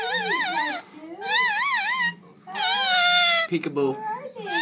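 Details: Indian ringneck parakeet singing a string of bright, wobbling whistles that rise and fall in waves, broken by a brief harsh note near the end, with quiet human speech underneath.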